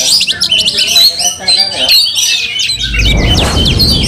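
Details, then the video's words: Aggressive Oriental magpie-robin, tail spread, provoking rival magpie-robins: quick sequences of sharp chips and descending whistled notes in rapid bursts, followed by a rumbling low noise in the final second. "Kacer tarung bongkar emosi buka ekor dongkrak amarah bikin kacer lain tambah Garang KEPANASAN"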